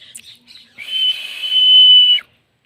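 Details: Green Indian ringneck parakeet, a talking parrot, giving a few short high chirps and then one long, steady, pure whistle held level for over a second before it cuts off sharply.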